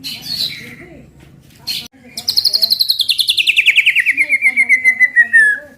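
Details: White-rumped shama song used to goad other birds into singing: a few whistled notes, then a long fast trill of rapidly repeated notes that slides steadily downward in pitch over about three seconds.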